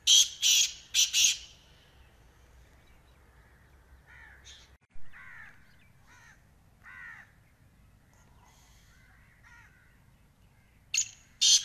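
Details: Black francolin (kala teetar) calling: loud, harsh, grating bursts in a quick cluster at the start, then a gap with softer cawing crow-like notes, and another harsh burst pair at the end.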